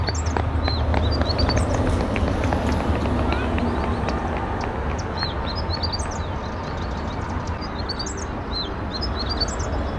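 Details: A sunbird (Cinnyris) in Lifta nature reserve, Jerusalem, on a sunny March 2020 day, sings a string of high, thin, sharply rising notes in quick bursts over a steady low rumble of wind and distant traffic.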